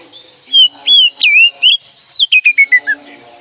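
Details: Oriental magpie-robin call used to rouse other birds, a loud series of clear whistled notes, first slurred and swooping, then a quickening run of short notes stepping downward in pitch.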